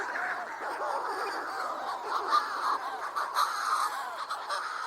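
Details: Manx Shearwater, a high-seas bird that nears land at nightfall and comes regularly to sing at this headland near a kittiwake colony, giving hoarse cackling crows in overlapping rising-and-falling phrases, about one a second, over other seabird calls.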